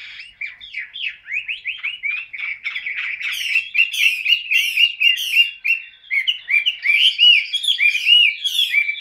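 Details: Chinese hwamei, a caged golden-footed, yellow-billed songbird, pours out a rapid, loud, continuous warbling song of slurred whistled notes with sharp high chips mixed in.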